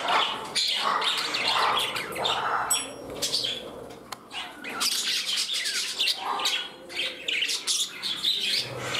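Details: Indoor parrots in their new home, rival birds vying to sit beside another; irregular squawks, chirps and a few sharp high whistles, with a faint click partway through.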